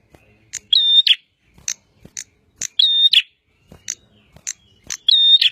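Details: Energetic bar-winged prinia song: three loud phrases of a level whistle held between harsh notes, separated by quick sharp high chips.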